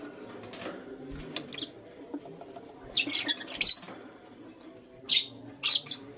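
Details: Lutino lovebird in the morning giving shrill, harsh chirps in short bursts, with a few scattered calls early and a cluster of loud, buzzy squawks near the middle and end over a low background hum.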